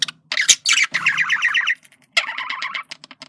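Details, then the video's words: Male budgerigar communicating in a continuous wavering warble of quick rising and falling notes, a short pause, then another warbled phrase. "sonido de comunicación de periquito macho"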